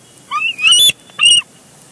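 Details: Bald eagle at the Big Bear Lake nest, 23 June 2022, while one eagle tackles another for a large fish. A brief high squeal slides into a strident harmonic cry, followed by a short sharp piping note.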